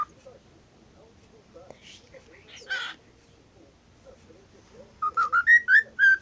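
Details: Talking pet cockatiel, a WhatsApp-sound mimic, makes soft scratchy chatter and a harsh burst, then a lively series of six rising and falling whistled notes.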